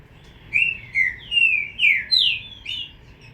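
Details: Green-winged saltator chick uttering about six clear slurred whistles, each a short falling or upswept note spaced roughly half a second apart, then fading off at the end.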